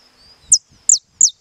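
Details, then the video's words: Saffron finch kept in legal captivity, singing the estalado song style: three loud, clipped, downward-sweeping high notes about a third of a second apart, with a thin constant whine and soft low rustling beneath. "CANARIO DA TERRA CANTANDO ESTALADO"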